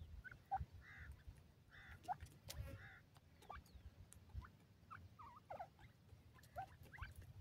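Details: Grey francolin chicks, the desi or dakhni teetar, playing and exploring their surroundings: soft, short peeping notes, some rising and some dipping, scattered irregularly over clicking, rustling and a low rumbling background.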